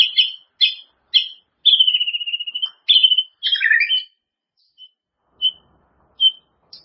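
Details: White-rumped shama song for training caged birds: rasping notes, a buzzy stuttered whistle, then a burst of varied phrases trailing into short, sparse high pips.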